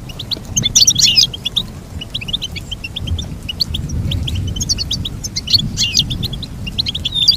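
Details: Goldfinch singing in rapid, high, tinkling chirps that run almost without a break. Several birds seem to overlap, over a steady low hum.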